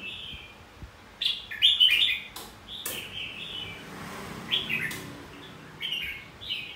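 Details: Red-whiskered bulbul fighting song, played to stimulate other bulbuls to sing competitively: short, bright, warbled whistle phrases in bursts, spaced about a second apart, with several sharp clicks between them and a low background hum.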